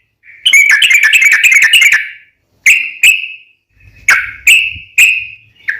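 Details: Sooty-headed bulbul lure song: a dense rattling run of whistled notes lasting about two seconds, then single sharp whistles spaced about half a second to a second apart.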